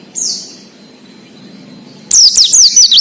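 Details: Oriental white-eye in 'ngalas' wild-style song, played as a lure for untrained birds: one soft descending chirp, a pause, then a sudden loud run of rapid high zigzag whistles.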